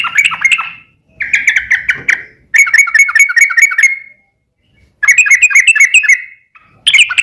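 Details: A bulbul known locally as trucuk, singing a long-running 'ropel' song meant as a lure for kept birds: repeated bursts of bubbly, throaty warbles and rippling whistles, each burst lasting one to two seconds, with brief pauses.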